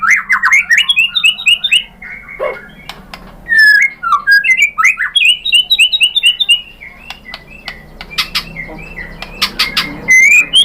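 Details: White-rumped shama delivering a rich, varied song meant to make other shamas answer, with rapid repeated whistled phrases, squawky notes and sharp clicks throughout.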